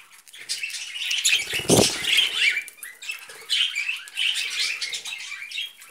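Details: Pet budgerigars eating vegetables, chattering in a steady stream of warbling, buzzy chirps, with one loud burst of wing flapping.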